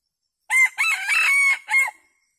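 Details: Red junglefowl decoy rooster crowing to draw a flock of wild junglefowl in to feed: one complete crow of about one and a half seconds, a loud opening burst, a long wavering middle section and a short final note.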